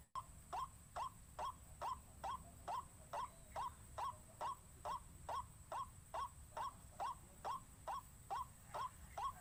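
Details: White-breasted waterhen lure call used to draw and excite waterhens: a steady series of short, hoarse notes repeated about twice per second with even spacing, over a low background hum.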